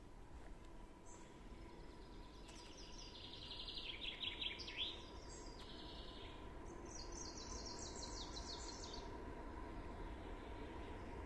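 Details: Common nightingales in song in a summer forest in 2022: two separate phrases of rapid, repeated high notes, each about two to three seconds long. A steady hum and a constant low rumble like distant traffic sit underneath.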